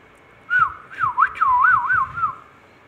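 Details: Indian ringneck parakeet whistling indoors: a clear, wavering whistled phrase that loops up and down five or six times in quick succession, then fades, over a quiet room background.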